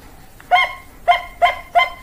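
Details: Bangkok-type zebra dove singing: four short, clear cooing notes with bright overtones. The first note stands alone and three more follow at a quickening pace, each a clipped, ringing coo over a quiet background.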